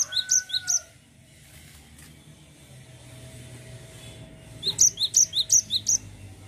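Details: Cinereous tit in full rolling song, delivering quick runs of bright, high, clipped double notes in steady rhythm, a short burst at the start and another near the end after a quiet gap with faint background hum.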